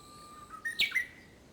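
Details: Early-summer song of a Japanese bush warbler: a long even whistled note glides up into a short burst of loud, abrupt, sweeping syllables before settling on a bright sustained whistle, with a quiet background.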